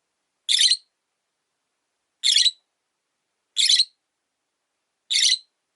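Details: Rosy-faced lovebird in a cage by a window, a lone bird after its mate's death, giving four harsh, rasping high squawks at uneven intervals of one to two seconds, each with silence between.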